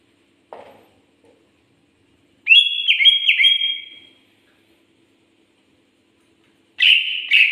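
A greater green leafbird gives a bright, slurred whistled phrase lasting nearly two seconds, then a brief harsh, buzzy burst. A soft knock comes just before.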